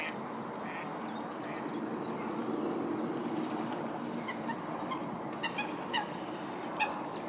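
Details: Eurasian coots fight at Wilgenbos, Almere, amid a steady rush of churning water, with a few sharp, abrupt calls bursting out toward the end. The last part is the start slowed down.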